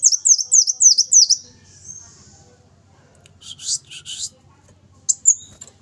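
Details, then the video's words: Brown-throated sunbird singing actively: a fast run of about six high, sharp, downward-sweeping notes, then a thin drawn-out tone, a pause with a low hum, a few rustling bursts and a last high chirp. "Burung madu belukar gacor"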